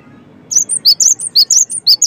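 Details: Brief burst of cinereous tit song used to get other tits singing: sharp, very high chirps begin after half a second and run on in quick three-note groups.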